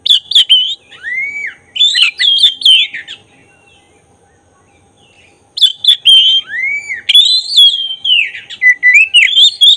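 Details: Black-breasted oriental magpie-robin song, played to provoke agitation and tail display. Varied whistled phrases with rising swoops and sharp clicks, then roughly two seconds of silence, and the song resumes with similar rich whistles.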